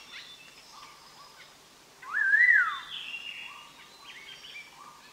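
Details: Collared laughingthrush song used as a trapping lure: a single clear whistled phrase rising and falling, about half a second long, over a faint hiss and soft distant chirps.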